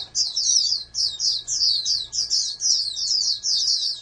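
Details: A steady string of short, high, squeaky twittered phrases, roughly two per second, comes from a captive-bred oriental white-eye being raised as a national champion candidate.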